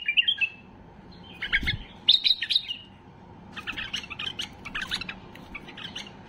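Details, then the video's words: White-eared bulbul singing excitedly to bring silent bulbuls into song: clusters of bright chattering notes, a pause, then a softer, rapid scratchy sequence; a low thud early on. "اقوى تغريد بلبل بصراوي لفتح البلابل القافلة"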